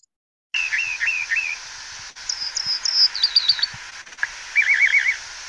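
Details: Rock Wren song, typical of rocky canyon roads in Southeast Arizona: loud, ringing phrases of rapidly repeated trilled notes, each phrase on a different pitch, with quick zigzag buzzy trills between.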